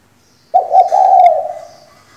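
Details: Female spotted dove kept as a decoy to make males sing, giving one hoarse, trembling coo held for about a second, steady then fading, in a quiet, still setting.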